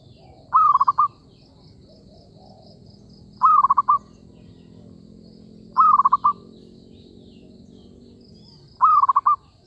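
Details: Zebra dove calling during bird trapping: a short rising note runs into a quick string of beaded, rolling coos, the phrase repeated about every three seconds, with faint high twitters and a low hum behind.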